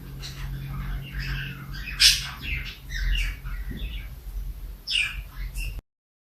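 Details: Domestic lovebirds giving shrill, high chirps and squawks in short irregular bursts, with a steady low hum underneath and brief quieter gaps between outbursts, before the sound cuts off abruptly near the end.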